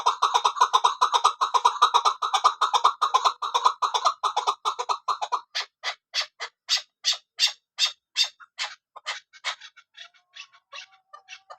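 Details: Calling from a female Kabuli chakor chukar partridge, hunting bird: fast, steady run of harsh chuck notes that breaks into slower, louder, evenly spaced clucks, then fades into scattered faint notes.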